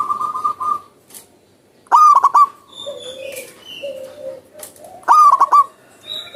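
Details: Wild zebra dove actively singing outdoors: two loud bursts of three or four quick stuttering coos, ending in a drawn-out note, about three seconds apart. Softer whistled notes from other birds sound between them.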